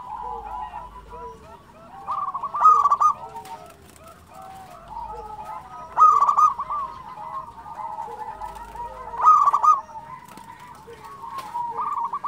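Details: Local zebra dove singing steadily: loud bursts of fast, stuttering coos roughly every three seconds, separated by softer level trills and low downslurred coos from other doves.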